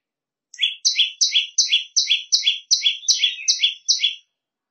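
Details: A prenjak lumut gives its piercing training song: about ten sharp, high paired notes in an even burst, starting after a brief pause and stopping cleanly.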